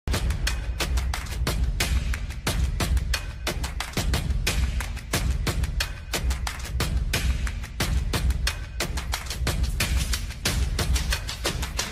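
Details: Percussive music with heavy drum and wood-block hits fills the recording, with no animal voice audible.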